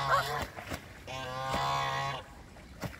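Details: One long, drawn-out nasal honk from a fighting Canada goose, preceded by a shorter call, over a constant low hum.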